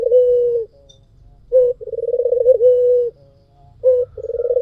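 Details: White Barbary dove cooing energetically as a lure: long even low coos alternate with short rolled notes, a pulsing purr leading into each sustained tone.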